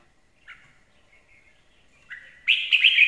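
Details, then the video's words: Red-whiskered bulbul song, presented as a good lure song: a few faint thin notes, then a loud, bright warbled phrase bursting out over the final half second. "Chào mào hót hay - mồi chuẩn"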